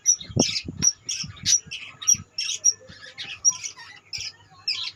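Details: A colony of budgerigars gives scratchy chirps and short squawks in quick irregular bursts, several birds calling over each other, with low knocks and rustling beneath.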